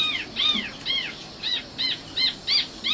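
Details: Common nightingale singing a series of arched, rising-then-falling whistled notes. Three slower ones come first, then five shorter, clipped ones at a quicker, steady pace, with faint background hiss.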